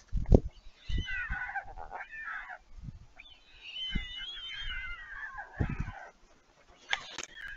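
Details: Begging from young white storks at a nest in Vriezenveen, Netherlands, July 11 2022, as siblings return to a parent bringing food: scratchy, wavering mewing phrases, several separate bursts, plus sharp knocks and rustling.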